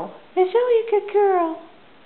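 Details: A female pet double yellow-headed amazon, dancing and prompted by her owner to sing 'You are my sunshine', sings in a human-like voice: three quick mid-pitched phrases, the last drawn out and sliding down, in a quiet room.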